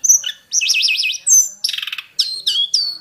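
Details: Wild mountain-forest hill prinia in a varied song: a high whistle, a looping wavy warble, a buzzy rattling burst and quick descending whistled notes.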